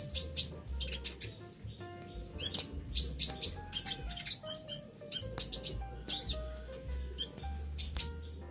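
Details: Pet sunbird, moulting and said to be singing vigorously, gives very high, thin, sharp chirps in scattered bursts and short clusters across the recording, with a low steady background hum.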